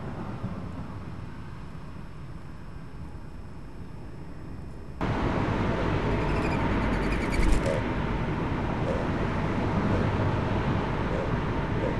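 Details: Steady low rumble of passing traffic with a louder wash of road noise after a few seconds, and no animal voice.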